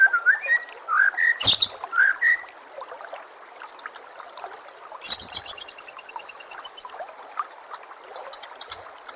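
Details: White-rumped shama song for master training: a few rich slurred whistles, a sharp click, then a fast, even burst of very high ringing notes lasting about two seconds, trailing into faint chips.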